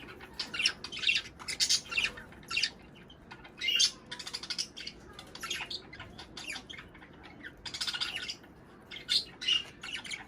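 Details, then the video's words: Budgerigars warbling to prompt breeding and egg laying: dense runs of rapid, harsh, high-pitched chirps and squawks grouped in bursts, with brief pauses between clusters and steady low hum beneath. "صوت بادجي طيور الحب للتزوج"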